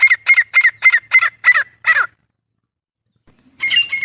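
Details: A pair of grey francolins (Ortygornis pondicerianus) calls: seven harsh, ringing notes about three per second, a brief pause, then a loud harsh burst.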